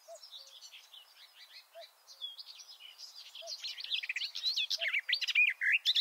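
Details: Garden warbler singing from inside a bush, recorded up close from a shelter tent with microphones about two meters below the bird: a long, rapid, continuous warbling stream of varied chattering and mellow notes, building louder toward the end, with a faint soft low note repeating underneath.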